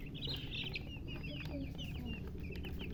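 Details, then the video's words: Baby chickens just out of the egg peep loudly: rapid, high, slurred chirps in an almost continuous stream over a low droning background. "Tot Murgi chicks chirping sounds Just Born Baby Gallina FRACAS Chicks Piar Loudly Sound"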